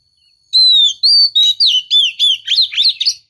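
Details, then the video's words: Female white-rumped shama calling to stir a male; a clear descending whistle opens, followed by rapid repeated curved whistled notes, roughly three per second, growing more warbled toward the end. "Pancingan kacer betina"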